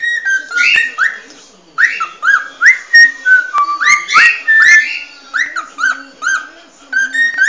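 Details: Cockatiel performing the species' original song: a rapid, steady series of short rising whistled notes, about three per second, in an unbroken sequence with a faint low hum beneath.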